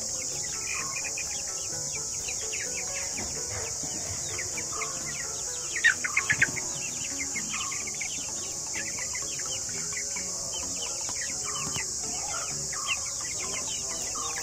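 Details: Flock of 45-day-old Giriraja chicks, kept in from free ranging because of extreme summer heat, giving many overlapping short, high, downward-slurred peeps, with a constant high hiss and faint tonal hum beneath.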